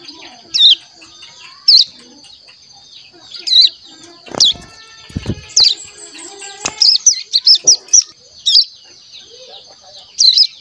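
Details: Crescent-chested warbler chick over a month old, kept in a cage and learning its song, utters isolated high chirps and a short quick run of notes amid cage knocks and rustling.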